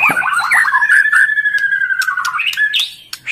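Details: A breeding female white-rumped shama feeding its chick gives a long, harsh, squawky note that wavers and falls gently, followed by brief higher chirps. The call is meant to excite males.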